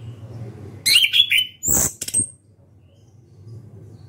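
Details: Loud open-beaked song of an orange-headed thrush: a brief phrase of warbled whistles, then a sharp high note and clicks, over a continuous low background hum.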